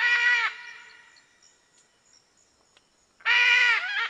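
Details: Two loud, grating squawks from a red-and-green macaw, about three seconds apart, with a quiet stretch between them.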